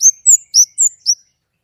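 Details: White-rumped shama giving a clear-voiced phrase of five quick, high slurred whistles, some rising and some falling.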